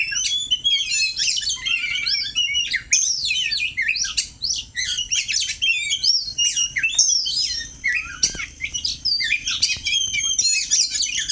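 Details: Oriental magpie-robin practising its song against a rival: a dense, continuous outpouring of high, varied whistles, chatters and rapid twitters with scarcely a break.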